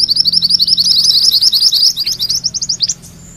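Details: A mantenan kuning songbird pours out a fast, rolling (ngerol) string of thin, high chirps, several per second, ending in a few sharper notes and a brief high whistle.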